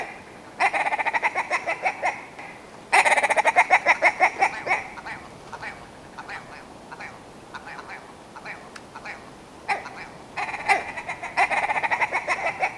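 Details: Willow ptarmigan, male and female birds, giving loud rapid series of nasal, rattling clucks that speed up into stuttering bursts, several bouts separated by short pauses with fainter scattered notes between.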